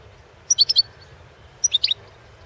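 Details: Goldfinch, Carduelis carduelis balcanica, recorded for the 2016 World Championship in Goldfinch Song; two crisp clusters of four high, sweet, liquid chirps, about a second apart, against faint low background noise.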